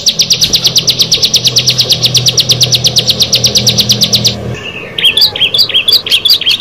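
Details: Bar-winged prinia, among six birds, rattling off a fast series of high clicks for four seconds, followed by a short pause and a few squeaky, warbling chirps; low hum early on.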